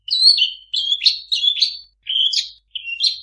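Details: Long-tailed shrike song full of imitations of other birds: short whistled and slurred phrases around mid-high pitch, about six bursts separated by brief pauses, clean recording with no other sounds.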